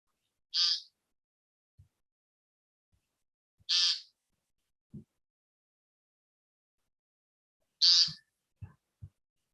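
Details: A male American Woodcock on the ground gives three short, harsh, nasal 'peent' calls spaced about three to four seconds apart, turning in a circle between them; the call monitored in woodcock surveys. Soft low knocks fall between the calls.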